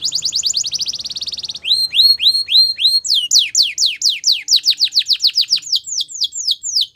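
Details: Female Belgian canary singing in the morning: a fast buzzy trill, then a tour of rising upslurred whistles, then a long run of quick descending sweeps repeated several times a second.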